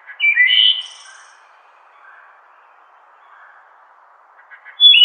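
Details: Wood thrush (Hylocichla mustelina) song: one flute-like phrase of clear, falling notes ending in a high, thin trill, then a long quiet pause before the next phrase begins.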